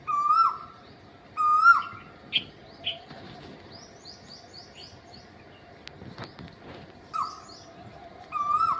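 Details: Cuckoo giving single whistled notes that hold steady and then fall away at the end, two near the start and two near the end, with smaller birds chirping and twittering in between.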